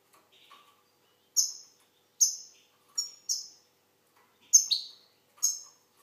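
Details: Algerian goldfinch with spaced bursts of high, sharp notes, some in quick pairs, and one short downward-sweeping note near the end, separated by silent pauses.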